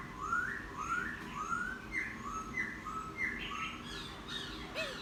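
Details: Laughingthrush caught wild and kept ten days, singing after bathing: a series of rising whistled notes repeated about every half second, clear and mellow, with a brief louder flourish at the end.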